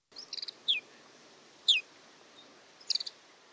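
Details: Lapland Longspur nocturnal flight calls: short dry bell-like rattles alternating with two clear, falling 'tew' notes, about one call per second, high-pitched over faint background hiss; Lapland Longspur.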